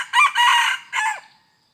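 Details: Red junglefowl, decoy-lured for trapping on 2 November 2021, gives a full, raspy cock-a-doodle crow: a short opening note, a sustained strident middle and a clipped falling end, against quiet background with a thin insect whine.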